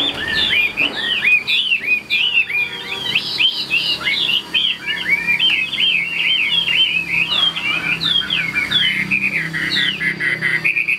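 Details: Caged Chinese hwamei performing its wing display gives a long, varied, almost unbroken flow of sweet whistles, rising hooks and rapid trills, in a small quiet space.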